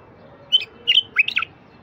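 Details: Wild bulbul song used to encourage silent bulbuls to sing: three brief, lively warbled phrases in quick succession, bright and fluty with quick up-and-down inflections, over a soft low hum.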